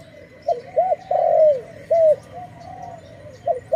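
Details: Dove recorded while being trapped and then released gives loud rounded coos, a few short ones and one long drawn note, spaced irregularly over a steady hum.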